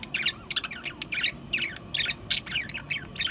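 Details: Pet budgerigars warble busily, mixing raspy chirps, clicks and bright squeaks in rapid bursts several times a second. There is a faint hum underneath.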